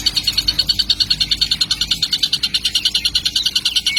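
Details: Baby kingfisher, already calling hard, as a lure sound: an unbroken run of harsh, buzzy high pulses at a steady rate of about three per second.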